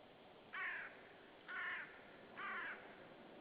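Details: Unseen common raven yelling hard near a white-tailed sea eagle nest at Saunja, Estonia, on 18 March 2013 in the afternoon: three harsh, hoarse croaks spaced about a second apart over a steady background hiss.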